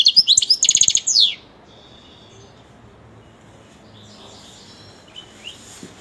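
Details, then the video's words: Caged European goldfinch delivering a quick burst of rapid, high twittering notes ending in a falling slur, followed by near silence with faint distant chirps. "il canto del mio cardellino"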